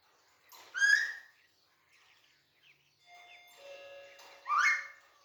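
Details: A male pet Alexandrine parakeet in a cage, active and playful, gives two loud, harsh, rasping squawks about four seconds apart, with faint steady whistled tones between them.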